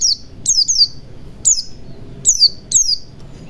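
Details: Repeated bright descending whistled notes from a white-eye, a lure meant to get silent birds singing, often paired in quick doubles, ringing high above faint low rumble.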